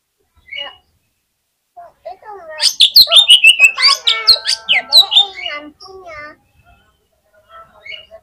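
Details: Fighter-style Oriental magpie-robin singing on a contest hanging pole, its song meant to make rival magpie-robins respond fast: a dense three-second burst of rapid, varied high whistles, chirps and trills after a few scattered single notes.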